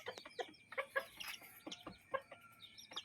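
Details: Adult chickens with chicks in a yard and coop. Low, throaty clucks repeat in a loose rhythm, several per second, while high peeps from chicks sound faintly above.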